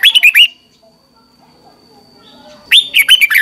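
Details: A red-whiskered bulbul's morning singing, used to train other bulbuls: a brief burst of bubbly warbled notes, a long near-silent gap with a faint high hum, then another quick rising-and-falling phrase.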